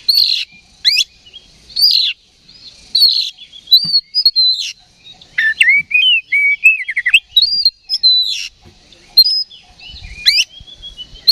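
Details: Agitated oriental magpie-robin, roused to fight by a lure recording, sings a long busy series of sharp downslurred chips and looping whistled notes, delivered almost continuously with brief pauses.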